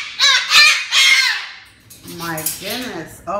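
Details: Pet cockatoo indoors yelling at its owner for filming it: two loud, harsh, buzzy screeches in quick succession, then lower, softer warbled calls mixed with a woman's talking.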